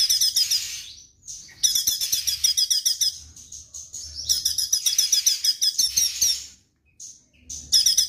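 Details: Rapid, high chattering phrases from a vigorously singing straw-headed bulbul, 'tembakan' style, in three long bursts with brief gaps between them.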